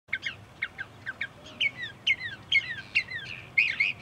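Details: Northern mockingbird singing from bushes beside a parking lot at Cape May Point, New Jersey, USA: varied phrases of sharp chirps, then repeated falling whistled slurs, each phrase given two or three times in quick succession.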